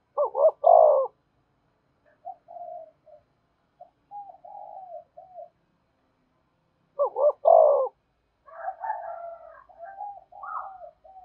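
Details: Spotted dove luring wild doves, which answer and approach quickly. Two loud broken double coos, far apart. Scattered quiet murmuring notes sit between them, and a busier run of soft, wavering coos follows the second.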